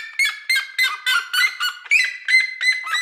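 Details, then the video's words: A red-legged seriema sings from a house roof in the countryside, a loud series of harsh, high yelping notes, about three per second, steady in pitch with a slightly ringing, nasal tone. "siriema sobre o telhado cantando"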